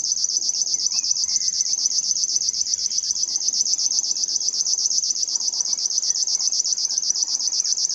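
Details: Savi's warbler reeling at Koewacht on 8 June 2021: a steady, high, insect-like buzz of very fast pulses without a break, with faint background rustle beneath.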